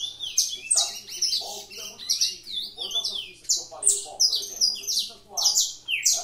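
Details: Fibra singing from a caged canary in a breeder's room: bright, piercing high phrases with quick slurred notes and rolling trills, pulsing steadily, some soft low background sounds.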